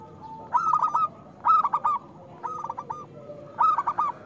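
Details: Loud-voiced local perkutut, or zebra dove, sung as a prompt for doves that rarely sing: four short bursts of rapid, rolling coo notes, each under a second, separated by brief pauses over a low background hum.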